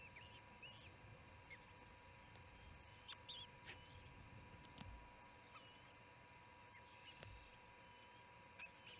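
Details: Charlo osprey nest, second evening feeding on June 18, 2018 at 7pm MDT: sparse short high chirps and upslurs mixed with sharp clicks and taps, against a steady tonal hum and low rumble.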